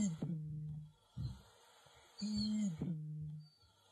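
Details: Eurasian bittern, a UK bird making a comeback and called the UK's loudest bird, gives deep, hollow, trombone-like booms under a second each, with grunting intakes before the first and last; sound carries far, spooky; played over a quiet room.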